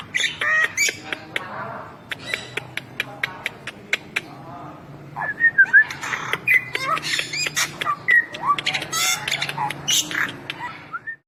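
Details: Bali myna singing a long, irregular run of dry clicks and raspy squawks, broken by a pause, then resuming with quick upslurred whistles and buzzy, harsh phrases that end on a rising whistle.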